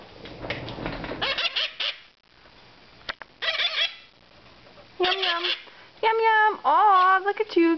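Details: Caged moustached parakeet chicks, almost two months old, calling at formula feeding time: a woman talks first, then loud, nasal, rising and falling beeping calls come in bursts, close together, near the end.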